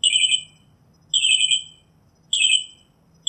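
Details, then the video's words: Northern mockingbird song: a repeated harsh, buzzy, high-pitched note given three times at steady intervals of just over a second, against quiet low hum. "Northern Mockingbird Song, Sound, Voice, Call, Melody - Sinsonte Canto - Mimus Polyglottos"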